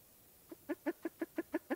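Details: A short burst of low, resonant clucks from a spruce grouse, seven notes coming steadily about six per second and growing slightly louder.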